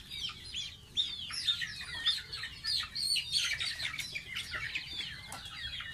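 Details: Young pet goose at bath time producing rapid, high, chirpy peeps that slur downward, clustered in lively bursts over a quiet background.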